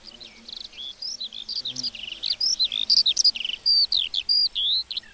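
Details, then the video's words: Lark singing in a meadow: a rapid, continuous stream of high, varied chirps and slurred whistles, notes bending up and down with barely a pause between them. "Singing lark in the meadow"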